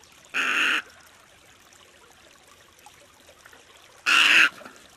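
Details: Snowy egret (Egretta thula) call: two harsh, raspy squawks, each about half a second long, spaced nearly four seconds apart, with quiet background hiss between them.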